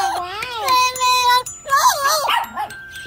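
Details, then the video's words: An Amazon parrot talks and sings in a clear, voice-like tone: two drawn-out, level phrases, then quick rising and falling warbled notes. "Amazon Parrot Talking Singing"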